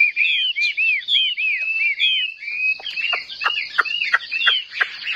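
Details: A Chinese hwamei sings competitively, tail fanned and wings in an eagle-wing pose: looping, rising and falling whistles that give way to sharp, rapid, emphatic notes.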